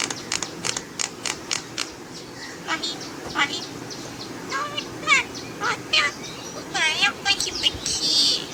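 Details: A pet talking jungle myna runs through mimicked sounds and speech-like chatter: sharp clicks, rising and falling whistled slurs, and harsh bursts, irregularly spaced.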